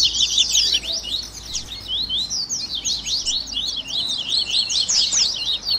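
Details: Warm-up recording of captive double-collared seedeater song for encouraging another bird to sing: busy, overlapping high chirps and slurred twitters, rapid and irregular throughout, with light hiss behind.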